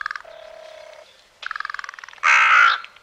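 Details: Common raven; a nasal, knocking, rattling sequence followed by one loud, harsh, drawn-out croak.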